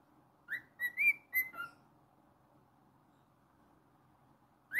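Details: Single short whistled phrase from a pet cockatiel, a quick rising note followed by several clipped level whistles, then quiet, and one more upward swoop at the close.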